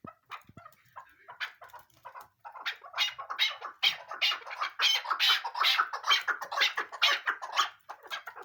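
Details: Female chukar partridge (Alectoris chukar) gives harsh, clucking notes about twice a second that swell into a busy, scratchy run of calls.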